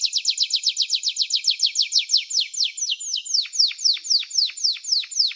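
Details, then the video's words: Canary song of very fast repeated falling notes that slows into wider-spaced, deeper-dropping sweeps partway through. "Canary-Canario Singing 2017(Kanarya Ötümü)"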